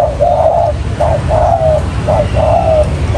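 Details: Spotted dove used as a decoy to lure wild doves for trapping, giving soft low coos: a short note followed by a longer, slightly falling one, paired and repeated about once a second over a steady low hum.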